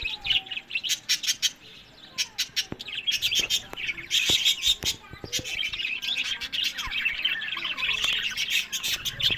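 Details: Breeding pet budgerigars in Larkana, Sindh. Warbling chatter and high chirps run beneath a series of sharp clicks and taps. The flock builds to denser, steady twittering in the second half.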